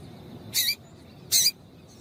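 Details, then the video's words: Female double-collared seedeater calling to stimulate the male: two sharp, high, hoarse chips about three-quarters of a second apart, each brief and bright, over a quiet, faint background hiss. "Piado de Fêmea de Coleiro para Esquentar o Macho"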